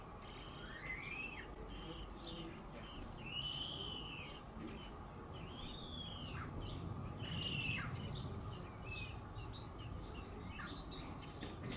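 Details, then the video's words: Eurasian blackbird fledglings, two surviving young from an early brood, leaving the nest and flapping their wings; arched, slurred chirps repeated irregularly several times, mixed with shorter high notes over a steady low rumble of background noise. "Blackbird fledglings leaving the nest!"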